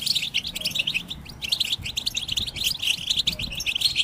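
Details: European goldfinch group chatter used to provoke male singing; quick, sparkling chirps and rattly twitters come in short bursts separated by tiny pauses.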